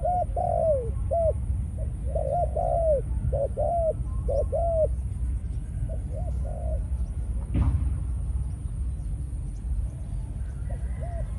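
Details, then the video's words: Spotted dove kept as a decoy, Malaysian line, in breeding mode after several ground-feeding sessions, delivering rapid clusters of rounded coos, then a pause broken by a sharp knock before sparser coos resume over low rumble. "Chim cu gáy mồi || Nọc Neymar dưỡng vài kèo ăn đất rồi vào chế độ Sinh Sản"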